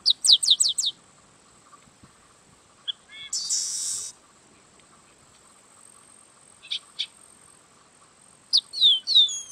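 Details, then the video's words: Yellow-winged blackbird: a quick series of about five sharp descending notes, then a harsh buzzy rasp of nearly a second, a pause, two short notes, and closing falling slurred whistles. "Canto do Sargento Agelasticus Thilius"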